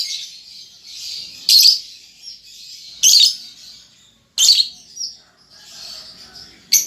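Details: Baby lovebird learning the ngetik and ngekek styles produces a soft high buzzing chatter punctuated by loud, sharp chip bursts roughly every one and a half seconds.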